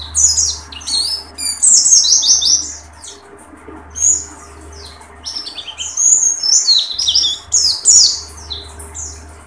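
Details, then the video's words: Oriental white-eye, beak open, singing dakun bursts: clusters of piercing, quick-fire twittering notes separated by short pauses, accompanied by a constant low hum. "tembakan pleci dakun buka paruh"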